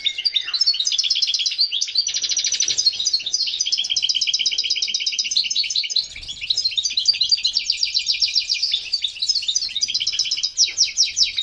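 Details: Male European goldfinch singing excitedly to stimulate mating and breeding readiness: long unbroken run of fast twittering and buzzy pulsed trills, with a short lull near six seconds.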